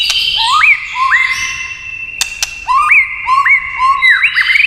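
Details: White-rumped shama, prompted by tail-tapping clicks, repeats rising whistled notes that sweep up and hold steady, about two each second, with sharp taps mid-phrase and a faster flourish at the end.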